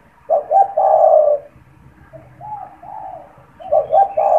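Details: Repeated low cooing of a caged spotted dove (tekukur), kept to draw and stimulate wild doves for trapping: a strong phrase of short coos and a long rolling note, a quieter phrase, then another coo phrase beginning.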